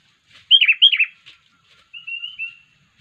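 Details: Unusual call of a sooty-headed bulbul, used to lure others of its kind: two loud bubbly slurred notes, then a thin, level, wavering whistle.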